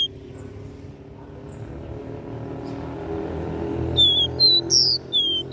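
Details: Capped seedeater, regional "dó ré mi" three-note song style. Low rumbling background noise first, then a short run of clear whistled notes and one buzzy note near the end.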